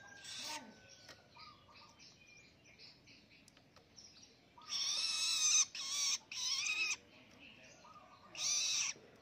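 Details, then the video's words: A young, hand-raised, newly independent long-tailed shrike learning to sing gives loud, harsh, scratchy bursts of about a second between quieter chattering notes. "ANAKAN PENTET SUDAH MANDIRI ‼️ BELAJAR NGELOLO"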